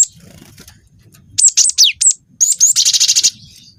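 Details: Young cinereous tit singing as a provocation lure: five ringing whistled notes with falling slides, a short break, then two whistles running into a rapid, even buzzy trill that fades out.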